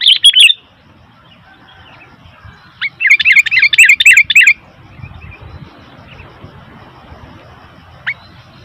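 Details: Sooty-headed bulbul calling noisily: a sharp note at the start, a rapid run of chattering, bubbly notes in the middle, then quiet with one lone high chip near the end.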